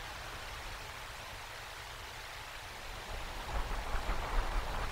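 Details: Soft hissing noise like rain on a surface, growing louder with low rumbling after about three seconds, and no animal calls.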